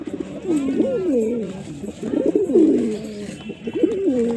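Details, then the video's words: Loud, close pigeon coos, deep throaty phrases swelling upward and gliding down, repeated in overlapping sequence with barely a pause. "Pigeon Sound Effect"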